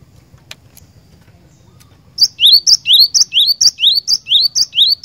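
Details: Cinereous tit, kept as a persistent singer, starting after a brief quiet spell with a steady series of about ten rising, two-part whistled notes repeated twice per second.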